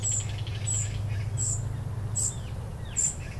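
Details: An immature common cuckoo being fed by its foster host, a vinous-throated parrotbill, gives thin, very high, hissing notes about every three-quarters of a second. Faint lower chips and a steady low rumble sit behind.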